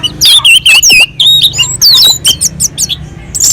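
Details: Orange-headed thrush on a mountain slope singing a melodious, constant song used to provoke other birds into singing. Short, loud bursts of slurred whistles and sharp high chirps, densely packed.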